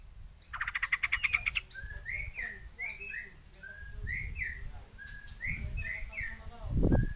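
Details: White-rumped shama from Aceh: a rapid pulsed trill of about fifteen notes, then a run of short whistled notes, each rising then dropping, with low rumbling noise in the background.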